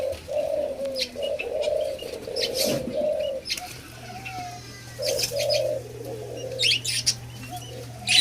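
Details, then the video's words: White-eared brown dove (alimukon) in taming gives loud, low, slightly rolling coos in runs of two or three, with a pause mid-way, plus high chirps and a faint hum. "TAMING WHITE EARED BROWN DOVE/ALIMUKON PART 2"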